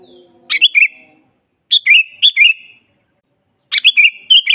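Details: Energetic sooty-headed bulbul song, natural recording meant as a training master: short bright phrases of fluty, slightly slurred notes, separated by brief silences, with faint low tones at the start.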